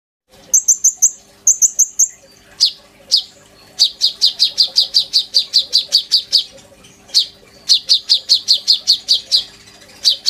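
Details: Oriental magpie-robin in full song with mimicked filler phrases, used as a lure and as a master song for training a young sunbird: paired high buzzy trills, then fast runs of sharp downslurred chips repeated about five per second.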